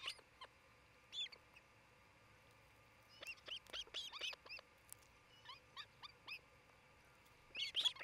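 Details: Osprey pair on their Charlo, Montana nest near midday on 27 June 2018, via nest camera: a long run of sharp, high chirped whistles in loose clusters, ending in a quick, dense burst of yelps.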